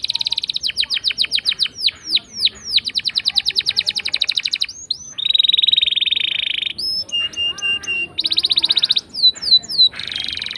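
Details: Canary singing a long rolling lure song for canaries that stay quiet: series of fast trills and slurred notes, a steady buzzy roll, and short whistled phrases between rolls.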